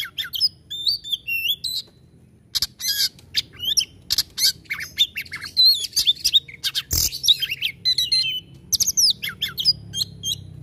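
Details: Oriental magpie-robin (kacer) in full, vigorous 'tembakan' burst singing: loud varied whistles, sharp rising and falling slurred notes mixed with harsh buzzy bursts, delivered in quick irregular phrases with short pauses, faint low hum beneath.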